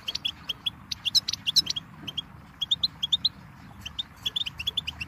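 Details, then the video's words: Lively Goldfinch chatter: a dense string of sharp high chirps, some stacked into buzzy double notes, running almost without pause over faint low background noise. "Birdsong Motivation Let Goldfinches Inspire Your Success"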